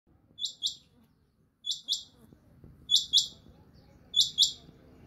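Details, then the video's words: A quail gives sharp, high chirps in quick pairs, repeating roughly every second and a quarter over a low background rumble. "the beautiful and sweet Quail sound|batray ksy khobsort awaz suny"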